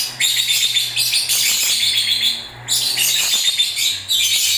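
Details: Lovebirds singing during breeding season: dense, harsh, high chattering and squeaky chirps in continuous bursts, with a short quieter gap midway, over a faint low hum.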